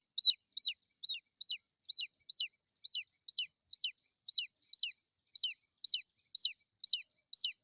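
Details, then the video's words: Domestic chicken chick chirping for its mother hen: high, sharp peeps, each a quick downward-curling note, repeated steadily about twice a second and gradually growing louder, with no other sounds. "Chicks chirping sound"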